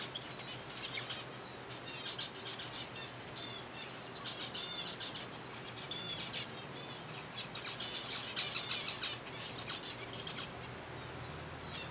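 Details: Numerous zebra finches from a colony call while eating soft food: rapid strings of nasal, harmonic beeps in dense clumps, briefly pausing then resuming more intensely later, with a low background hum.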